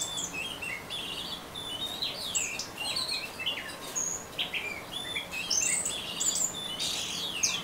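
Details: Orange-headed thrush in ngeriwik song: busy, high twittering of quick rising and falling whistles and chips, run together almost without pause over a soft noisy background.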